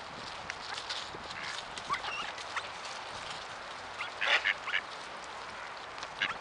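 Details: Mallards in the Ural region, Russia, in November, coming close to people and begging for food; a burst of loud harsh nasal quacks midway, with scattered shorter calls and steady background noise.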